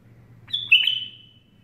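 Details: Bulbul perched on a hand sings one clear, high whistled phrase lasting under a second, with a brief dip before holding steady, over a faint low hum.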